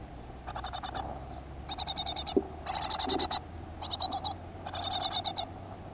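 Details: Great tit at a school-garden nest box, June 2015. Five short, hissing, high rattles of quick pulses arrive roughly once a second, with a faint low knock between them.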